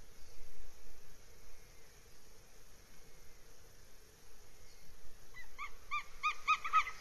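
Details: Northern goshawk at the nest, RSPB Abernethy Forest reserve, Scotland, 3 July 2022: after quiet hiss, a rapid run of short sharp notes, several per second, growing louder toward the end.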